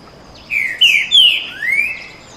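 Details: Canto boi style song of green-winged saltators, two males dueling in a rowdy exchange: a rich whistled phrase of four slurred notes, the first pair falling, then a long downslur and a final rising note.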